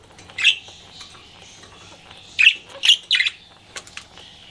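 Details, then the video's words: Pet budgie flirting: a loud chirp, a pause, then a quick cluster of three sharp chirps, trailed by softer warbled notes over a faint background hum. "CUTE PET BUDGIE FLIRTING"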